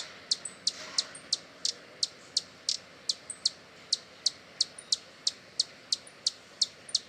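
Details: Hummingbird giving a steady stream of short, high-pitched chips close together, around three each second, with brief faint high whistles heard now and then.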